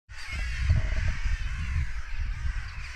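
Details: Crows raising an alarm after a goshawk had apparently made a kill; harsh, overlapping caws form a continuous raucous chorus, with a heavy low rumble of wind underneath.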